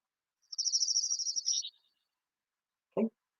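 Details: Orange-crowned Warbler (Leiothlypis celata) song: a rapid, high trill lasting about a second that drops lower and softer at the end, then a brief human voice; a reference recording shown while warblers migrate through central South Dakota.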